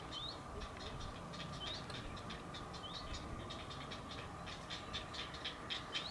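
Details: Great blue heron chicks, about a week old, calling at the nest as their mother regurgitates a crawfish for them, filmed on a field camera: rapid dry clicking pulses repeated about three times a second, with thin rising whistles and steady background hum.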